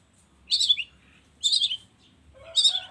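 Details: Long-tailed shrike lure recording, made in the morning to set other shrikes singing: three short, harsh, high chattering bursts spaced about a second apart, with quiet gaps between.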